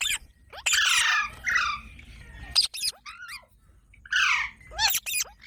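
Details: Pet parrot giving harsh, raspy squawks in bursts, broken by short clicks and thin squeaks, with quiet gaps between the outbursts.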